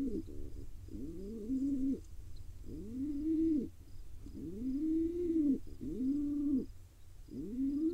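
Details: A wild pigeon chick in Israel, being fed by its father, makes repeated low, nasal, whining calls that sweep upward and then level off, about six in eight seconds, over a steady low hum.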